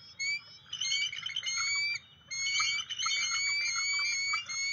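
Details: Bald eagle at its nest on May 15, 2023, issuing warning calls at an intruding eagle, picked up by a field camera: high, thin, whistled chittering in rapid stuttering runs, two bursts split by a short pause.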